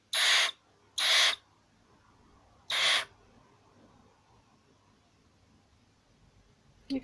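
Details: A handled barn owl, grumpy as it gets tickles, hisses three times: harsh, airy bursts close together, then a single one after a gap. A soft voice follows at the very end.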